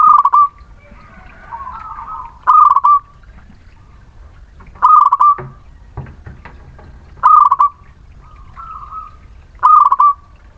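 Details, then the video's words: Zebra dove, local Muria type, lure song to encourage reluctant birds: loud trilled coo phrases recurring about every two and a half seconds, softer coos in between, faint clicks. "Perkutut lokal Muria gacor pancingan setiap waktu perkutut malas bunyi"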